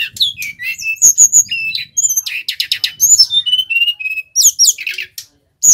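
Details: Bali male brown-chested jungle flycatcher in full, vigorous rolling song for luring and tutoring wild-caught birds: dense run of bright whistled slurs, short clear level notes and quick twittering phrases, nearly unbroken, ending with a brief gap.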